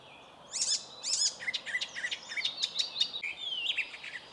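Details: An icterine warbler sings in a birch grove, a fast, varied jumble of harsh chattering notes and clear high whistles.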